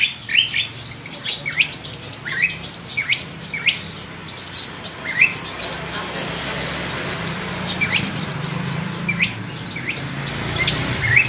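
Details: Sunbird (kolibri wulung) singing: rapid, thin, high chirps and twittering trills in scattered bursts, over a steady low hum and brief speech.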